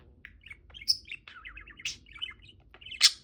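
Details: Pet budgerigar, a male, sings as he swings, giving a quick run of buzzy chattering notes broken by bright high chirps.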